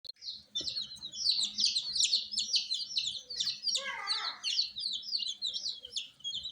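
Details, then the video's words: Just-hatched Fracas chickens chirping loudly at night: a dense chorus of many high, overlapping peeps in rapid succession, with a lower sweeping cry midway and a faint low hum beneath. "Chicks Chirping Sounds - Just Born Baby Gallina FRACAS Chicks Piar Loudly Sound"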